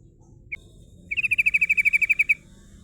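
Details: Female yellow-vented bulbul singing her rolling song, a lure for rival birds. A single sharp note is followed by a rapid, even trill of about twelve ringing notes lasting just over a second.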